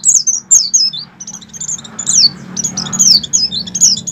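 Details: Oriental white-eye in strong breeding condition, its song used to stir captive white-eyes into singing: fast strings of very high, thin, downslurred whistles, chattering almost without pause over a low background hum.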